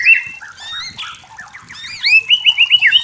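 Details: White-rumped shama singing in a natural forest setting: clear whistled notes near the middle range, a short varied run of slurred phrases, then a fast series of rising-falling whistled loops repeated about five times.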